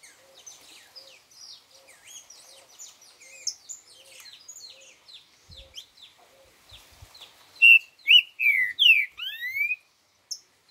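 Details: Green-winged saltator singing: a loud burst of slurred, rising and falling whistled notes near the end, after many soft high chirps from other birds and a faint note repeated about every half second.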